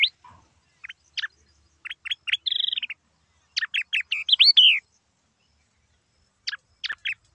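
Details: Yellow-eyed babblers recorded at Silvassa in Dadra and Nagar Haveli, India, giving scattered bursts of sharp clicking chirps, a brief buzzy note and slurred whistled phrases, separated by silent gaps.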